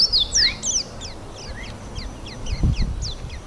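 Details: Yellow white-eye eating an apple and calling continually to keep in touch with others: a rapid run of thin, high, sharply falling and rising chirps, dense at first and then spaced, with faint low rumble beneath.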